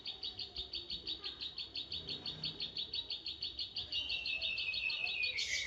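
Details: Zitting cisticola, called klik klik bird, singing energetically while fighting: an even, rapid series of crisp high ticks, roughly three per second for four seconds, then a faster, buzzier continuous trill sliding slightly downward.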